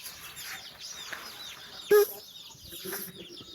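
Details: Mother hen calling her chicks out for a walk: a loud, short, low tonal cluck, then a softer one a second later, over steady thin high peeping from chicks.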